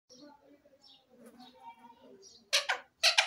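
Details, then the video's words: Parrots talking: soft, speech-like murmuring with low warbling tones, then two loud, harsh, broadband squawks near the end. "Parrots talking very sweet and sweet"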